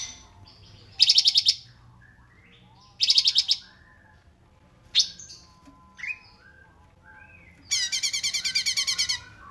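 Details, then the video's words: Cungkok filler song for training caged birds, 'rapat jeda' style: loud buzzy rattling bursts about half a second long, separated by two-second pauses, with a single sharp chirp between them and a longer rattle at the end. "CUNGKOK RAPAT JEDA"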